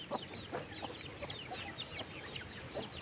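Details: Chickens at a farm at afternoon feeding time on 15/08, a few soft clucks every half second or so beneath dense, rapid, high chirping calls.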